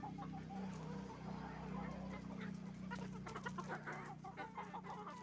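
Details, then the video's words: Roosters and hens at a chicken farm, many birds clucking and squawking at once in a crowded chorus, set against a loud continuous low hum. "Moment of the sound of a chicken farm, roosters and hens making noise"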